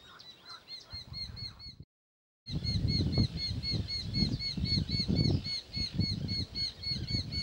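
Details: One of a pair of Eurasian hobbies at their nest gives rapid, high, slightly arched 'kew-kew' notes, about two per second, over steady low wind rumble with a brief break.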